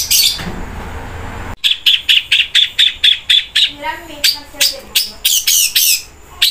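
A long-tailed shrike mimics a flameback woodpecker: a long, loud run of sharp, high, ringing notes, about three per second. A brief rustling burst comes first.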